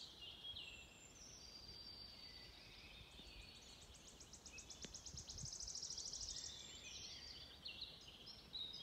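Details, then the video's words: Wood warbler singing on 16 May 2024 in the Stornäset pastures, Alnö, Sweden: a high, shivering trill speeding into a fast, dry rattle over about three seconds, with blackbird, robin and blackcap also singing. "Grönsångare spel/sång"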